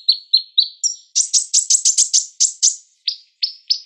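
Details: A sunbird, kept as a songbird, gives a fast, high, sibilant song: three thin whistles, then a rapid run of about a dozen sharp buzzy chips, ending in a few slurred notes.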